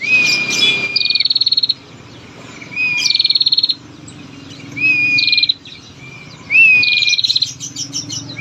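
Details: Loud, clear calling from a female bar-winged prinia used to make males sing: four whistle-and-trill phrases, each a level whistle then a dry ticking trill, separated by short quiet gaps.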